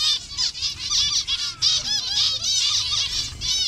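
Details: Captive colony of zebra finches in several colour variations, kept in Bangladesh, giving dense overlapping nasal, buzzy calls in rapid bursts, many birds calling at once with low background hum.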